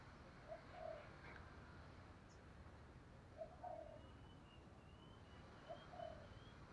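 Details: Spotted dove lure calling meant to provoke rivals into fighting, faint over steady background hiss: three short cooing phrases, each a brief note followed by a longer rolling coo, spaced about two and a half seconds apart.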